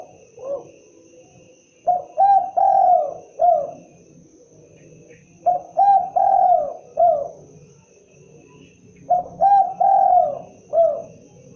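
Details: Derkuku or tekukur, the spotted dove, repeating its characteristic phrase three times, roughly every three and a half seconds: quick coos building to a long sliding coo, then a short tail note, with faint low background hum.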